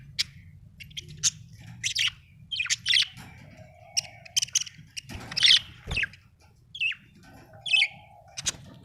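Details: Happy Australian budgie giving scattered sharp chirps and squeaks, some harsher squawky notes, uneven spacing, with a soft low hum and occasional thuds.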